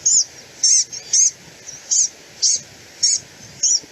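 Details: Blue-gray Gnatcatcher in winter lowlands, whiny complaining calls: seven short, high, nasal buzzy notes repeated roughly every half second on a clean, quiet background.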